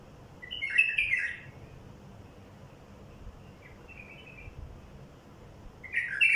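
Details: Wild bulbul song for luring wild bulbuls: a loud liquid warbled phrase, a softer short phrase a few seconds later, then another strong burst starting at the end.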